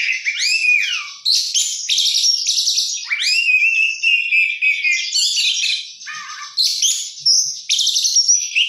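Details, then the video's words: An oriental magpie-robin in full voice with an isian-packed song: sharp falling and rising whistled slides, buzzy chattering phrases and quick trills following one another almost without pause. "kacer gacor isian mewah"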